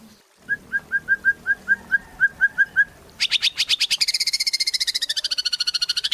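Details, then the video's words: Gacor song of a white-rumped shama, a lure recording meant to set other shamas singing: a row of about a dozen clear, short whistled notes, then a sudden loud, fast, buzzy trill that runs to the end. "Murai Batu Gacor | AMPUH buat PANCINGAN Murai Batu Agar Bunyi"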